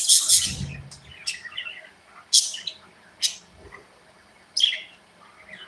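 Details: Aviary budgerigars give scattered sharp chirps and short warbled notes, with a soft thump at the start and quiet pauses between loud single calls.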